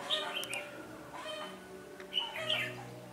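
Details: Decoy red-whiskered bulbul at a trapping site, 13 January 2017, singing to lure a rival; two brief clusters of clear, high whistled notes, the first at the start and the second after a pause.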